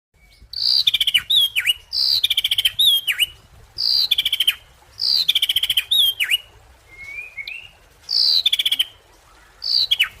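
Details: Ashy drongo singing: clear whistled phrases that start high, slur downward and end in a sharp down-swoop, repeated roughly every two seconds with short pauses between, plus one brief buzzy slurred note in a gap.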